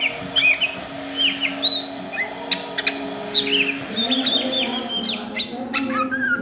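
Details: Oriental magpie-robin in the daytime giving ngriwik song: a string of short bright chirps and downward-curving whistles, several clicky accents, over a continuous low droning background.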